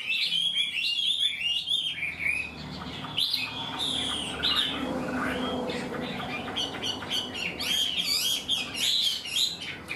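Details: Chinese hwamei said to be untrained yet quick to sing a full song; lively whistled warbling opens and closes the passage, with quieter scattered notes and a low murmuring background in between.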